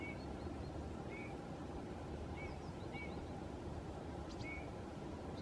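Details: Eurasian bullfinch singing on a birch some distance away on 29 October, puffing out its breast, gives soft, low, muffled whistles, five or six brief notes about a second apart, under a steady rumble of wind or distant traffic.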